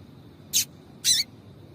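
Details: Female double-collared seedeater call, used to stimulate a male to sing. Two short, high, scratchy chips, the second slightly longer, are heard about half a second apart.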